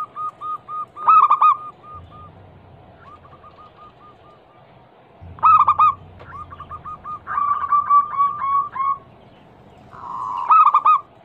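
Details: Local zebra dove, a female calling for a male, played to make other doves answer: repeated stuttering loud bursts between strings of quick coos and a purring trill, over an intermittent low hum.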